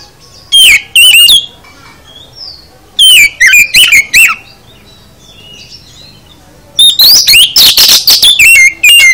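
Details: Full isian song of an oriental magpie-robin (kacer), used to coax other kacer into song: three loud phrases of whistled notes and abrupt chips, the last longest, with a rough, noisy climax and quiet gaps between phrases.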